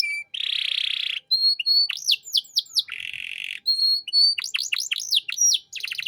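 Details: Canary master song for young songbirds: buzzy churring bursts alternate with steady whistled notes and rapid falling sweeps, ending in a quick trill.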